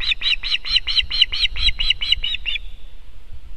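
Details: Osprey at its nest in Estonia on 18 July 2021, landing and defending the nest against a strange osprey: about eleven sharp, whistled chirps in quick even succession over two and a half seconds, then silence, with low wind rumble beneath.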